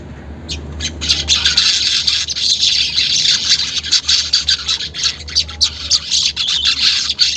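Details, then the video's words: Continuous high, fizzing chatter of a weaver, broken into quick runs of buzzy notes. The unedited recording serves as a lure so that caged weavers start singing fast. "pancingan manyar bahan agar cepat gacor"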